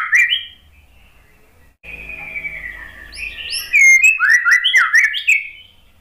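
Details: White-rumped shama lure song for a silent, stressed bird: a brief whistle, then a long, quieter descending whistled note, building into a loud run of rich slurred whistles and crisp chips over a low hum.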